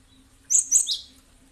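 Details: Cinereous tit used as a lure bird to make others respond: a single short burst of three high, sharp, slightly scratchy chirps in quick succession, the last trailing downward.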